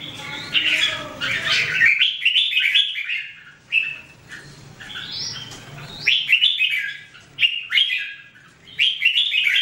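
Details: Song of a red-whiskered bulbul from 2017, repeated loud warbling phrases of three or four bubbly notes, each burst followed by a short pause, with a low droning hum in the background.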